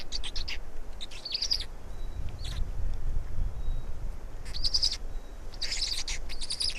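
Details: Black storks feeding in Estonia on 16 May 2019 in the late afternoon; rough, breathy squeals in two main flurries separated by a lull, with low rumbling wind noise throughout.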